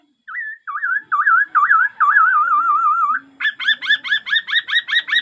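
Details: Rich laughingthrush song of wavering, warbled whistles that slide up and down, ending in a fast run of sharp, repeated upslurred notes.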